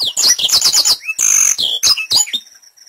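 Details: Black-throated canary singing, played as a training lure to make birds sing eagerly: dense, rapid high chirps and buzzy trills, rising and falling sweeps, a loud harsh buzzy phrase in the middle, ending with a thin high tone.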